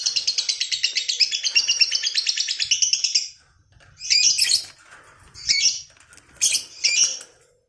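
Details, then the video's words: Lovebird's long 'ngekek' rattle, played to goad and train other lovebirds, opens as three seconds of rapid, pulsed, high chatter, then breaks off into a silence followed by three separate harsh, squeaky bursts. "SUARA MANCING BURUNG LOVEBIRD NGEKEK PANJANG,MELATIH BURUNG LOVEBIRD NGEKEK PANJANG"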